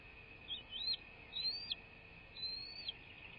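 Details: American bald eagle at its nest on a live nest camera, 21 February 2024 at 16:47, gives thin, high whistled notes, each rising then dropping, three phrases over a steady background drone.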